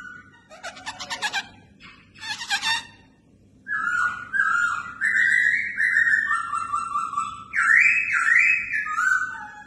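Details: Red-whiskered bulbul in training as a fighting competition bird: harsh buzzy bursts open, then a run of loud clear whistled phrases stepping up and down, some with rising flicks, repeated roughly every second.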